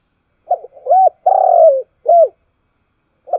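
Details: Spotted dove calling in the morning: a loud, clear phrase of short arched coos followed by a long, slightly falling drawn-out coo and a final short note, then a brief note at the end.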